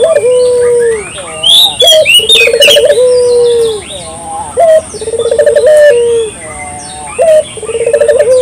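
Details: Repeated coos of a local dove used as a lure: short sharp note, then a pulsed roll and drawn-out coo, cycling about every two and a half seconds, with scattered high chirping of other birds.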